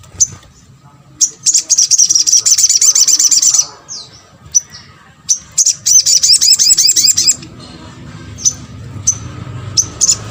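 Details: Calls of a little spiderhunter used to prompt other spiderhunters to answer: two long, rapid, high-pitched trills of fast repeated notes separated by sharp single chips, with a faint low hum underneath.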